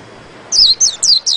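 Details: A white-eye sings ngerol ngalas, a rolling wild-type song, here as four bright, high-pitched notes that each slur down, following half a second of quiet background.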